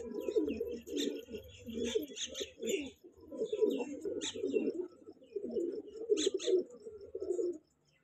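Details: Young breeding pair of kanta kash pigeons: low, rolling, throaty cooing in repeated bouts, with faint higher clicks and rustles.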